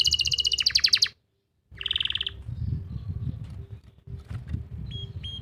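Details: Canary master song, Pati, Central Java, for coaxing stalled or young canaries to sing: one bright trill, a short buzzy phrase after a pause, then low background rumble with only faint high notes.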